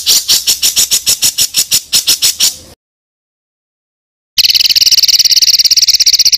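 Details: A songbird tutor recording of rough, rolling song material for training competition birds such as magpie-robins: harsh, high, rasping notes about five a second, a pause, then a dense, rapid rolling rattle.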